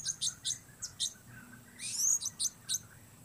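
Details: Blue-crowned hanging parrot producing a quick series of sharp, high-pitched tsit notes, then a brief buzzy rising squeal followed by more single chips.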